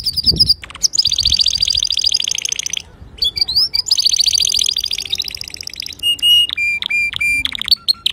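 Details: Male canary song for teaching young canaries: long buzzy rolling trills broken by short gaps, then a series of steady flat whistled notes and sharp chips near the end.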